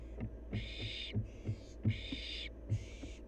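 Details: Hissing screeches from a wild barn owl fledgling during playtime, four broad rasping bursts spaced under a second apart, with soft low thumps and knocks underneath.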